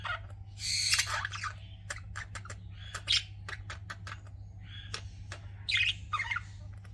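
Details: Chirping pet budgerigars: loud scratchy warbled phrases mixed with rapid short clicking ticks and buzzy squeaks, continuous chatter over a low background hum.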